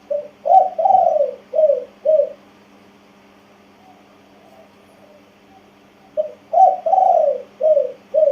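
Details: Spotted dove, a tame male near one year old, coos two full phrases of short and drawn-out hollow notes, in the Thai 'kuk, ku-ang, nun-ang' style, separated by a quiet gap with faint murmuring.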